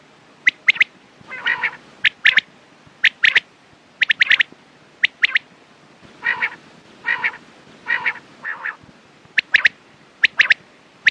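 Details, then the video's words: Quail voice for morning and night: sharp high clicks in pairs alternate with lower, rough, buzzing churrs, the two kinds of call trading back and forth across the recording. "Quails sound best sounds use morning and night time mast awaz saaf awaz"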